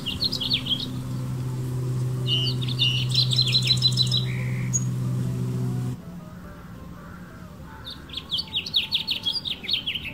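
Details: Male house finch perched on a branch in a California backyard garden sings bright, jumbled warbling phrases in three bursts, described as calling to females, over a steady low mechanical hum that stops partway; House finch.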